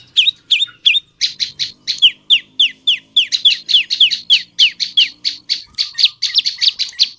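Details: Olive-backed tailorbird, a lure recording for prompting male and female tailorbirds to sing: a fast, steady run of loud, sharp chirps, each a quick falling note, repeated about three times a second for the whole stretch.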